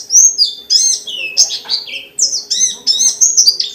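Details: Loud, energetic pleci dakun white-eye song intended to set off other white-eyes: bold high whistles that swoop downward in pitch, given in emphatic bursts about every half second.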